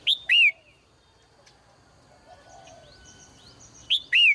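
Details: Female bird in a cage chirping in the morning. A pair of bright, falling chirps opens and closes the stretch, with a quiet pause and faint twittering from other birds between them.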